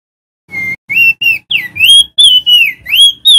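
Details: Loud lure song of a male crested white-eye (opior jambul) from Lombok, West Nusa Tenggara, meant to get silent caught birds singing; eight or so separate whistled phrases, each sliding or swooping, spaced closely in a brisk sequence.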